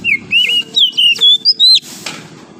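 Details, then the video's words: Morning singing of a wild oriental magpie-robin in forest: a loud, continuous phrase of pure whistled notes stepping up and down, ending with a rising slur and faint breathy noise. "OCEHAN KACER DIAPAGI HARI, suara asli kacer hutan liar"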